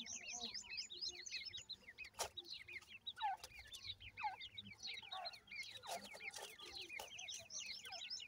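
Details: Grey francolin chicks at home peep in a dense, nonstop chorus of short, high, slurred notes, many callers overlapping, with scattered sharp knocks and clicks.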